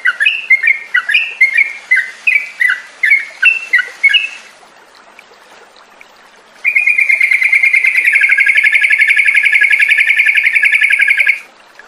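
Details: Yellow-vented bulbul played as a lure call to get a caged bulbul calling and singing: a run of short bubbling phrases, about two a second, then after a pause a long, fast, unbroken chattering trill.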